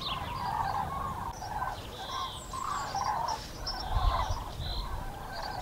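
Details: A flock of common cranes passes overhead above the Eifel, Germany, on 6 March 2018, with overlapping rolling, trumpeting calls repeated constantly over a steady low rumble of wind or distant traffic.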